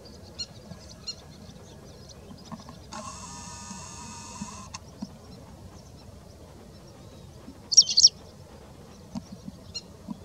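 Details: White wagtail (Motacilla alba) at Mishmar HaEmek, Israel, in February 2019, giving a sharp, high two-note call near the end, with a few fainter chirps scattered through and a brief burst of broad rushing noise.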